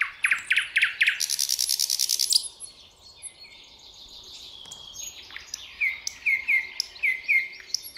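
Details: Common nightingale singing to the rising sun at dawn: rapid chock notes, a loud buzzy rattle, then a clear whistle and a series of repeated rich piping notes.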